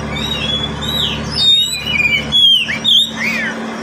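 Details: Kacer, the oriental magpie-robin, a caged pet singing as a lure for birds reluctant to sing: rapid run of bright whistles, sharp downslurs and rising notes with brief pauses, steady hum underneath.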